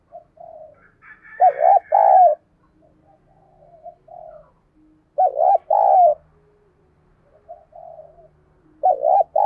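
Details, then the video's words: Captive decoy spotted dove repeating its lively urging call to lure wild doves: soft introductory murmurs, then a loud phrase of two or three hollow coos, the pattern returning about every three and a half seconds. "Tiếng Thúc Chim CU Gáy Sung - Kích Bổi Nhanh Nổi"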